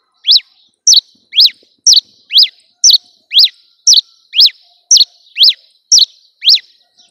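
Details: Cravina from Rio Grande do Norte, Brazil, singing while perched on a hand: sharp, high, down-slurred two-part notes repeated steadily about twice a second, loud and clean with no other sounds.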